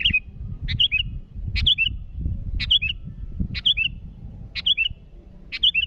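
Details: Sooty-headed bulbul calling a rival: loud, lively phrases of a harsh burst followed by liquid whistled notes, repeated about once a second, with steady low rumbling noise underneath.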